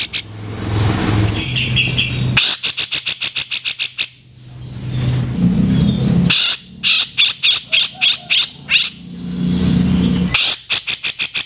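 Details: Training recording for cage birds of the Grey-cheeked bulbul's harsh 'kasaran' calling: several bursts of fast, grating notes in quick series, separated by pauses filled with low background rumble and a few thin chirps.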